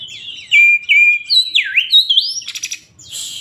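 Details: An excited Oriental magpie-robin of the poci type, in fired-up full song, delivers a rapid, varied phrase of clear whistles, sweeping slurs and buzzy notes, high-pitched and loud, with no other sounds.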